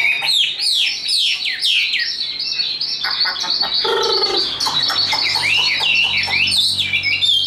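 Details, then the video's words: A tame caged Chinese hwamei, hand-carried and kept for contests, in full high song. It gives looping whistled sweeps, then a brief low chattering burst near the middle, before a varied run of rich rising and falling whistles. "Họa mi số 1129 Chim thuần sách tay hót cao cầu đấu tốt"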